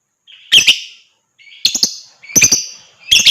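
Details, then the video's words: Lovebird chattering song meant to stimulate other birds to sing: four loud harsh bursts, each a rising buzzy lead-in then rapid clicking chatter, about one burst every second. "TERAPI JITU BUAT LOVEBIRD,Ngekek dan Gacor Lanjut burung lain dengar ikut gacor dan ngekek ."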